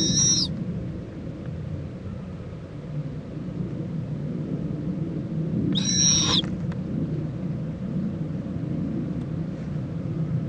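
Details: Mother owl and owlet preening in Indiantown, Florida, February 26, 2014 at 11:45 AM: two short, shrill, rasping screeches about six seconds apart, over a constant low rumbling background.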